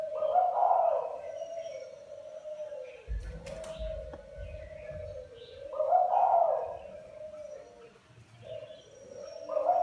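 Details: Spotted dove giving low, soft cooing phrases about every five seconds over a steady low droning hum, with a faint thump partway through.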